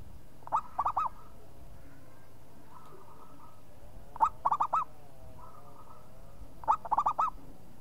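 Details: Local zebra dove singing persistently: three cooing phrases, one roughly every three seconds, each a short note followed by three rolling coos. Softer wavering hums are heard between the phrases.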